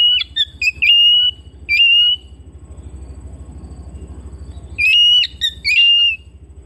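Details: Home-kept Oriental magpie-robin singing loud, clear whistled phrases with sharp upslurred notes and short chips, in two bursts separated by a pause, over a steady low rhythmic mechanical pulsing.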